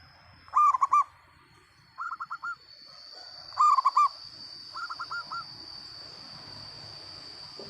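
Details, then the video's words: Local zebra dove in full loud song, alternating strong bursts of rapid looping coos with softer, quicker trilled phrases, repeating roughly every three seconds against a constant high whine and low background murmur. "perkutut lokal gacor suara lantang"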